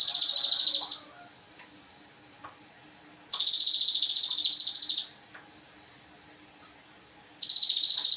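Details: Javan cochoa master song for training cage birds: three bursts of fast, high, pulsed trilling, each lasting one to two seconds and spaced about two seconds apart, over a quiet background.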